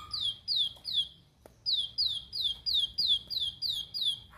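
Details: A Plain prinia (Prinia inornata), used to bait other prinias into singing, sings a quick run of sharp, high, downslurred notes, roughly three a second, broken by one short pause. Plain Prinia.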